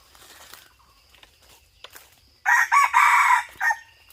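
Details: Red junglefowl crowing in a hunting setting, 2022–2023. After a quiet stretch, a loud, harsh crow breaks out in several rough, ragged bursts over about one and a half seconds. Faint bird whistles and insect hum sound in the background.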